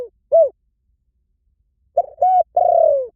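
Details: Spotted dove calling: one soft arched coo, a silent gap of about a second and a half, then a three-part phrase of a short note, a level coo and a long falling coo.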